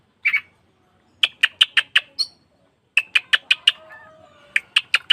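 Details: Oriental magpie-robin lure recording for caged birds: bursts of hard, clicking chip notes repeated quickly in series of four to six, with a faint lower warble between bursts.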